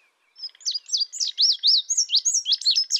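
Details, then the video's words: Indigo bunting: after a moment of quiet, a quick sequence of clear, high chevron-shaped chirps grows steadily louder and continues to the end. "Indigo bunting sound | call"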